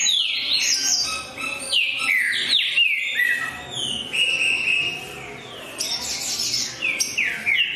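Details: Green-winged saltator singing with great eagerness: loud, clear whistled phrases sliding downward from high to mid pitch, delivered in quick overlapping runs with bright high notes near the end.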